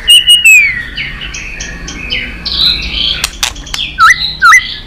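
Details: White-rumped shama in competitive song: a high drawn-out whistle falling in pitch, softer warbling notes, then sharp clicks and two bright upslurred whistles.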